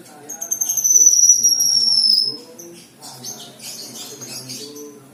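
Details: A high, drawn-out whistle from a black-winged myna glides downward for over a second, then gives way to a burst of mixed chirps and twittering notes over a low background drone.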